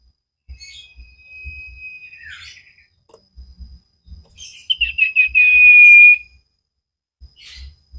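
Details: Common iora (cipow) on a cage-bird training recording, singing vigorously: a faint thin held whistle, then a louder phrase of quick trilled notes leading into a long steady whistle, with light clicks and taps between.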